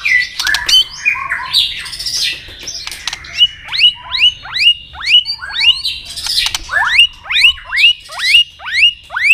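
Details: White-rumped shama in fighting song, double-note style with tail clicks: clicks and jumbled notes at first, then a steady series of rising-then-falling whistled notes roughly twice per second.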